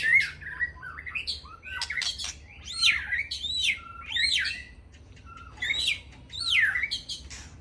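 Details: White-rumped shama from Aceh singing in the evening: varied loud whistled phrases, sharp upward and downward sweeps and rich warbles, delivered in bursts with short pauses between.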